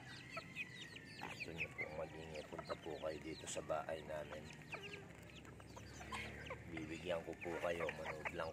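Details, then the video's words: Many Serama chickens clucking together in a fast, uneven run of short, rough harmonic notes, about two to three a second. High chirps from other birds sound throughout, and a person speaks faintly. "ANG DAMING SERAMA CHICKEN"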